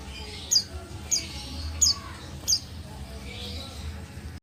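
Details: Female white-eye of the buxtoni form, calling to make idle males respond with song: four quick, high, downward-slurred chirps roughly every two-thirds of a second, then quiet hum.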